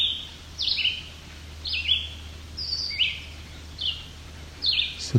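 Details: Young White-breasted Nuthatches, apparently being fed by their parents in a close family of at least five, on rocky alvar near Cape Chin North, Ontario, Canada, July 17, 2019. High, short, down-slurred notes come in pairs about once a second over a steady low hum.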